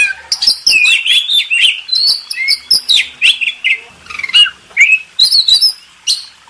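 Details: Contest-bird tutoring song from an Oriental magpie-robin: rich warbled phrases of swooping whistles and chirps, delivered in rapid, irregular bursts with short gaps.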